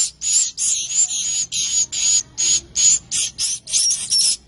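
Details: Swiftlet chicks give hissy, high-pitched begging calls in short bursts, repeated almost three times a second in an uneven, continuous stream with brief thin whistled notes on top.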